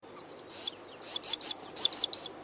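Common sandpiper giving thin, high, piping whistles: one note, then quick runs of three, each slightly falling, over about two seconds against a quiet background.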